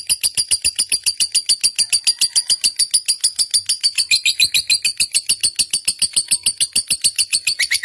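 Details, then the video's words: Lovebird of the fighter type, kept as a pet, heard in a bait recording for training other birds: a long, even series of sharp, high chirps, about three or four a second, steady throughout. "pancingan lovebird figter"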